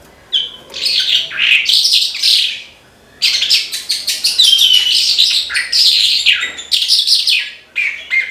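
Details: Horsfield's bushlark song, branjangan style gacor: after a brief chirp, loud jumbled high notes, then a pause near three seconds and a long, sustained flow of rapid trills, chatter and sliding whistles.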